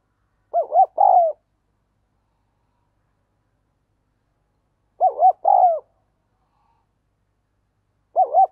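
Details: Decoy spotted dove urging wild doves to come: short paired phrases of wavering, bouncing coos, each followed by a longer slurred note, repeated about every four seconds with silence between.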